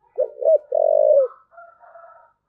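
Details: Single thúc gù phrase by a spotted dove: two short hoots, then a long sustained low coo, followed by faint thin higher-pitched calls.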